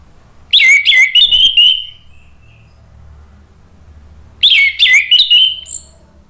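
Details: Orange-headed thrush song used as a lure to prompt singing: two loud bursts of rapid, sweet whistled notes with sharp upward flicks, separated by nearly two seconds of quiet with low hum.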